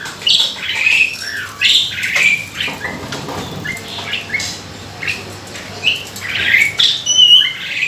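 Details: Asian pied starling singing, recorded as a lure to prompt other birds to sing; harsh squawks mixed with short whistled notes in irregular bursts, some clicks and rustling between phrases.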